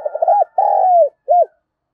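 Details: Spotted dove calling to provoke a fight and attract wild birds: a quick rippling note, a long smooth coo that slides downward, then a short arched closing coo, all loud and close.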